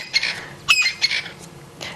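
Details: A crested francolin flies in and lands near a feeding elephant on an African sunset game drive, giving harsh, high-pitched grating bursts, four in two seconds, over a faint low rumble.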